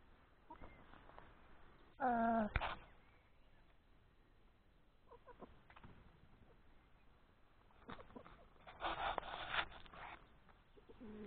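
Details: Hen in the open while laying an egg, uttering a loud, wavering harmonic cackle, then scattered short clucks and a later burst of harsher, noisier calling.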